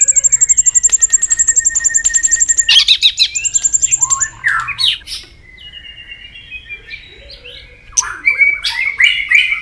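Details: A captive White-rumped shama, stimulated to sing aggressively, ticks continuously in a fast run of sharp high notes, then breaks into rich, varied whistles and slurred phrases that rise and fall.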